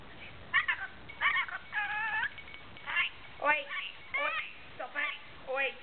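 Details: Pet rainbow lorikeet chattering in repeated nasal, warbling syllables with wavy pitch, about one burst per half second, in a quiet room.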